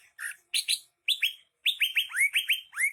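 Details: Lively greater green leafbird phrases: paired chirps, then a fast string of bright whistles that each drop in pitch, delivered close and loud.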